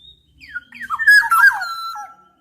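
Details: Black-naped oriole producing a short burst: thin high note, then a tumbling mix of whistled and slightly harsh descending notes ending in a steady drawn-out whistle.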